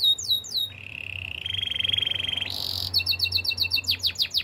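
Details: Caged canary singing for training: falling whistles, then a long low buzzy roll, a higher trill, and quick repeated chirps with sharp downward sweeps.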